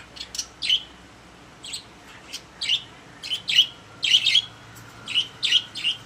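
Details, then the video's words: Pet budgies in a cage make separate high, clipped chirps, spaced out early on and then bunched into quick pairs and triplets toward the end. "My Happy Budgies | Spreading Love in the Cage"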